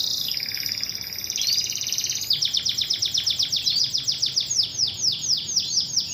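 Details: Female Atlantic canary calling her male: high whistled tones, then a long run of rapid, downward-sweeping chirps repeated about four times per second, sharp and bright, in a quiet setting.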